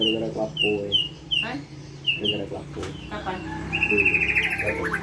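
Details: White-rumped shama singing in the 'pastol' style, a tutor song for young 'terotol' birds: short clear whistles repeated about every third of a second, then a fast rattling high trill, with people talking in the background.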